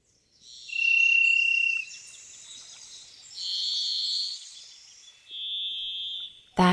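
Varied thrush song: three long, eerie, buzzy whistled notes, each held about a second and pitched differently, with pauses between. A brief voice starts at the end.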